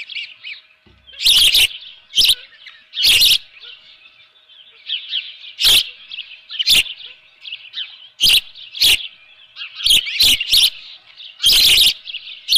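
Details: At a Dunrovin Ranch nest on 24 June 2018 at 7:32 AM, an osprey with a live fish gives steady high piping chirps. Frequent loud thuds and knocks punctuate the calling throughout.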